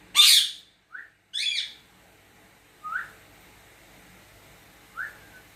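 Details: Pet cockatiel at home in a whistling exchange with its owner: a loud harsh squawk and a rough chirp burst, then short rising whistles at intervals of about two seconds in a quiet room.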